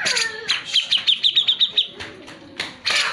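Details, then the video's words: Cucak jenggot in full song, played to coax reluctant birds into singing; a rapid series of about seven clear, repeated whistled notes between harsher noisy bursts at the start and end. "Cucak jenggot gacor, pancingan untuk cucak jenggot malas bunyi."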